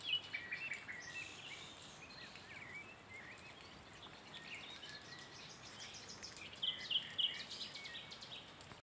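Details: A common nightingale sings in bushes on 23 April 2022: varied whistled and chattering phrases, ending in a burst of loud, rapidly repeated piping notes, with other birds and a steady outdoor hiss behind it.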